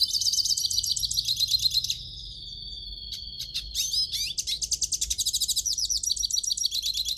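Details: Hooded siskin song for warming up a captive bird: fast buzzy trills, then a long, steady, high whistled note, followed by a sharp burst of rapid, pulsing chatter.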